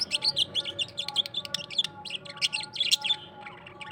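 A parrot gives a fast, continuous warble of high chirps and twittering notes, bursting in quick phrases with no pauses; faint steady tones hum underneath.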